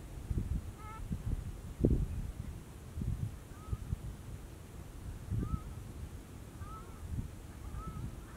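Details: Whooper swans at Bojaq National Park, with mute swans nearby: a ringing honk early on, then a run of softer, wavering bugled notes toward the end, over wind rumble and low knocking noise.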